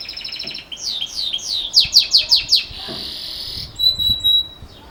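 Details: Belgian canary in campainha (bell) song, meant for young birds: a fast chopped trill, then a run of about six loud descending chirps, then a thin ringing whistle.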